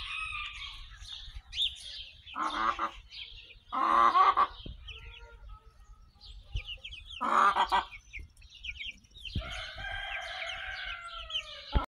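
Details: Barnyard chicks hatched May 21, 2024, with adult fowl on June 22, 2024: bursts of harsh clucking calls alternate with high peeping, ending in a long harmonic call.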